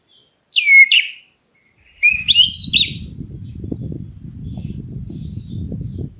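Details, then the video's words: Black-breasted Oriental magpie-robin calling to draw answers from other birds: two loud, slurred whistles, then a short chattering phrase, followed by steady low rumbling noise for the rest of the recording. "KACER DADA HITAM MEMANGGIL, BURUNGMU LANGSUNG NYAUT!"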